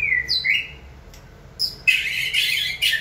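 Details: White-rumped shama stimulated to sing during training: a rising whistle, then a higher note, then a burst of harsh, noisy chattering.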